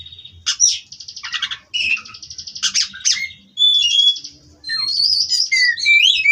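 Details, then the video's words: Farm-bred Oriental magpie-robin (kacer) in 'ngerol' song: pulsing buzzy rattles repeated in series, a quiet gap, then warbled rising and falling whistles; faint low hum in the background. "Kacer Ini Ngerol Tanpa Henti"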